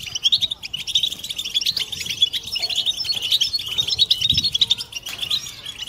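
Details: Group 'batbata' twittering of European goldfinches, meant to encourage mating song; a steady wash of fast, high, jingling chirps continues throughout, slightly softer and more blended than a lone singer.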